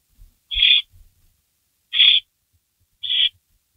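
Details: Nesting barn owl during a night-time rabbit delivery, May 16 2012, 3:53 AM. Three brief, bright, rasping calls spaced about one and a half seconds apart, with light thuds near the start.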